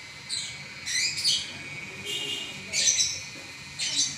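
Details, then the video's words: Prize-winning lovebird in non-stop song, giving a few scratchy high chirps and squeaky upward notes in loose bursts, with a faint constant hum behind. "Burung LoveBird Juara Nya Ngacor 11 Menit Enggak Berhenti"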